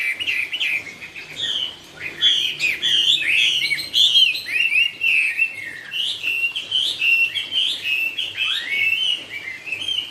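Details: Chinese hwamei ('họa mi cao cầu') sings a long, varied stream of loud clear whistles, quick trills and swooping slurs in rhythmic bursts, with a faint low hum beneath.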